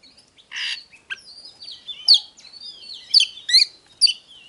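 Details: Oriental magpie-robin song, used to provoke birds into singing and fighting, opening with a buzzy rasping note, then gliding whistles and several sharp emphatic notes.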